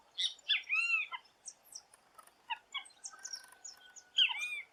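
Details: Great Kiskadee from Brazil, calling with loud, harsh arched notes in a quick group of three, then a pause with a few faint chirps and a thin whistle before another loud arched burst near the end.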